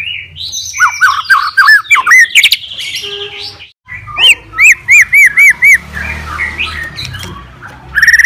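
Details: Fighter-type white-rumped shama, singing to challenge other shamas, gives looping whistled notes, a brief pause, then five evenly spaced bright upslurred whistles repeated about four per second, with a low hum behind.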